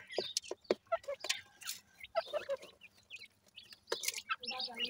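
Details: Several Grey francolin chicks at play, uttering scattered squeaky peeps and brief chirps among crackling taps and scuffling noises.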